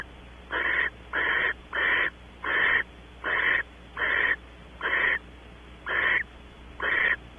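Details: Nest-box barn owls at Audubon Starr Ranch, California, during mating after the female enters. Nine rasping, breathy hisses come in a steady series, roughly one every 0.8 seconds, with quiet pauses between them.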